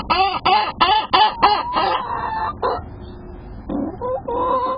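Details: Hens about seven months old, laying about four eggs a day, vocal this week: a quick run of six loud, nasal, harmonic clucks in two seconds, then looser, softer squawks and drawn-out calls.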